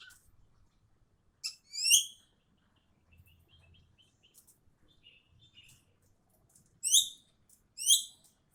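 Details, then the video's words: Javan bee-eater calling: short, bright, upward-sweeping chirps rich in overtones, coming in quick pairs near the start and twice more later, with faint soft notes between them against a quiet background. "SUARA BURUNG EKEK KELING MEMANGGIL"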